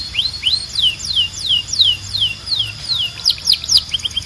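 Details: Bright descending whistled slurs from a Belgian canary, each about a third of a second apart, ending in quick high sweeping notes. Low hum beneath.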